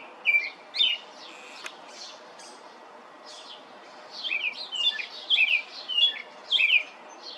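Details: Robin singing a melodious song: thin, high warbling phrases, with a couple of short notes early and then a run of quick descending twittered notes near the end.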